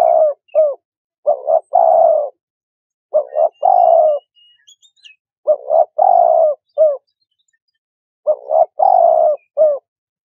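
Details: Repeated soft hooting phrases from a spotted dove, each a pair of quick coos leading into a longer hollow note and a short tail, four phrases in about ten seconds.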